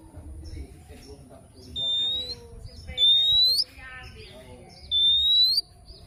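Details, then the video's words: Morning song of an oriental magpie-robin: three clear, drawn-out whistles, each sliding gently upward and ending sharply, repeated roughly every one and a half seconds over faint chatter and low background noise. "Kicauan Kacer Dipagi Hari"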